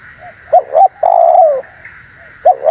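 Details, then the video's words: Cooing spotted dove used for luring wild ones, short soft notes, two sharp coos and a long drawn-out downward coo, then a fresh pair of coos begins; constant low hum. "SUARA BURUNG TEKUKUR UNTUK PIKAT DAN PANCINGAN"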